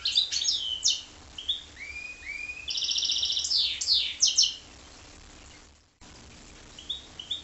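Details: Goldfinch × canary hybrid song: quick high twitters, rising whistled slurs and a rapid rattling trill, with a brief dropout before more twitter notes resume.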